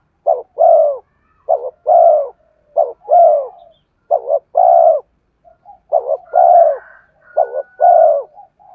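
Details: Spotted dove used as a lure for wild birds, giving repeated two-part coos, a quick doubled note and then a long soft falling coo, about every 1.3 seconds, with faint higher calls from another bird near the end.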